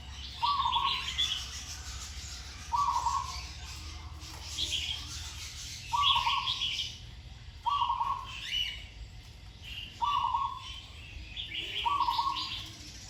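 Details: A zebra dove in continued training gives its sweet song with good phrasing: six low rolling trills, one about every two seconds, while other birds chirp and twitter at a higher pitch.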